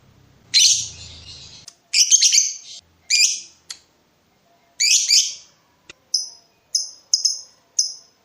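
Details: Lovebird in breeding mood, calling to provoke a rival: rough screechy bursts giving way to a steady series of short sharp high chirps.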